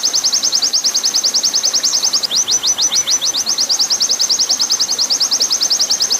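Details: Long 'nembak' training song of an oriental white-eye, set over steady water hiss: rapid, high, repeated chips, about eight per second, that slow into a few longer slurred notes midway before resuming the quick rattle.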